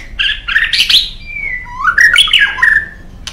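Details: White-rumped shama, a kept songbird, delivering a loud, varied phrase: scratchy bursts, a long clear whistle sliding down, then a rapid rising run of bright notes, over slight room noise.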